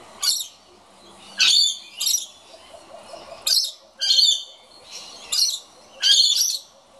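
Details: A scaly-breasted lorikeet complaining about an empty birdfeeder gives about seven harsh, high, grating screeches in quick, uneven succession over a faint low hum.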